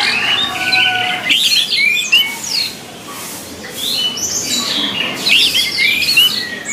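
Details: Orange-headed thrush delivering a mix of harsh, squeaky notes and short whistles in scattered bursts, with a quieter pause midway, on a recording meant to train captive birds.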